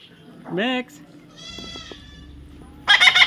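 A parrot makes a short burst of voice-like mimicry: a brief rising syllable, then a longer drawn-out tone, ending in a harsh, raspy squawk.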